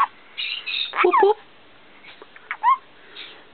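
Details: Indoor pet male black-capped caique practising the phrase "step up": a burst of raspy, speech-like syllables, then a pause and a short rising squeak.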